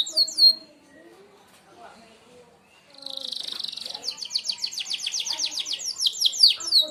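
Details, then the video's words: Sharp-shot song of a Merlok canary for bird mastering: a few high slurred notes, a quiet gap, then a dense buzzy trill breaking into rapid, piercing descending notes. "tembakan tajam kenari merlok"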